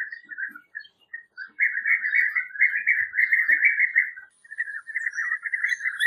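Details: European bee-eater (Merops apiaster) calling: rolling, liquid trills in a steady chattering stream.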